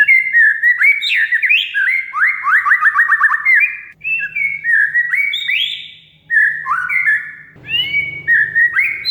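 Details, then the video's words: Lure recording of an oriental magpie-robin singing richly, aimed at making a silent kacer sing: long sequences of fast rising and falling whistles, sharp trilled chatter, pauses between phrases, and a soft low buzz near the end. "Kacer Mogok Bunyi Tiba-tiba Gacor Isian Mewah"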